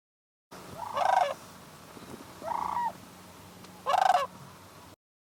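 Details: Sandhill cranes near shore at dawn, December, about 19 degrees F, Bosque del Apache National Wildlife Refuge, New Mexico; three loud, rolling trumpeted calls about a second and a half apart over faint background hum.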